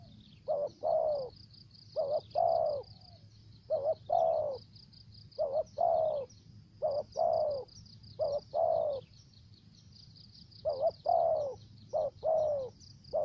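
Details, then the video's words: Spotted dove decoy from Trà Vinh, Vietnam, calling in the 'thổ dế' voice with 'dập' and 'mai rừng' style: about nine phrases of a short twin note plus a longer falling coo, backed by a shrill pulsing insect-like whine and low hum. "Terkukur Mồi giọng thổ dế, kèm dập, giọng mai rừng"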